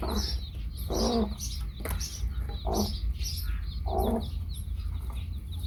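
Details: Hen with baby chicks: low, short clucking bursts about every one to one and a half seconds over a steady stream of high, rapid chick peeps, with a constant low rumble beneath.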